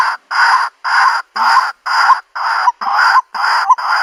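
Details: White-breasted waterhen call, used as bait for a bird trap in the country: eight grating, noisy notes in a regular beat near two per second, each ending with a brief upward inflection.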